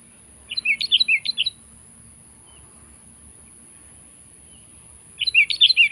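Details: Sooty-headed bulbul challenging a rival, two short bursts of quick bubbly chirps about four seconds apart, each burst roughly a second of tumbling up-and-down notes, with quiet hum between.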